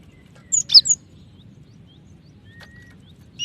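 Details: Cinereous tit female calling to a male: three clipped, high whistled notes in fast succession, then quiet apart from a faint thin tone and a low background rumble.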